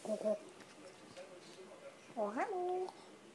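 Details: Grey parrot at home in a country house, making short voice-like syllables, then a rising whistled, word-like phrase in a quiet room.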